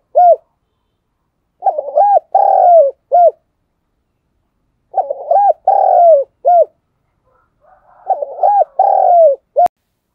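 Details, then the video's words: Caged decoy spotted dove calling to draw in wild doves: the tail of one phrase, then three rhythmic cooing phrases of quick coos, a long falling coo and a short end note, with a sharp click near the end. "tiếng cu mồi thúc bổi căng nhất từ trước đến nay, thúc vầy bổi nào chịu nổi"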